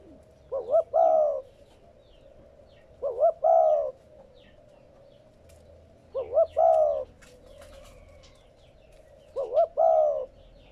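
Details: Spotted dove cooing, used to stimulate captive doves to coo: four low mellow phrases about every three seconds, each two quick short coos followed by a longer drawn-out coo. Faint high chirps and clicks sound in the background.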